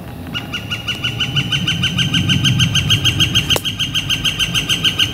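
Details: Northern flicker calling on a warm, clear spring day, late April: a fast, steady series of loud ringing notes repeated about three times a second, with a single sharp click near the end and low background rumble.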